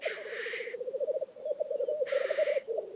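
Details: Black grouse displaying at a lek in Vinje, Telemark, giving continuous rolling, bubbling coos. Two harsh hissing sneezes break through, one at the start and one about two seconds later.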